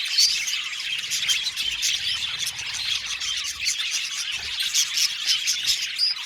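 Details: Aviary colony of Australian budgies chattering together, an unbroken stream of rapid high chirps, squeaks and warbled notes, lively and overlapping throughout.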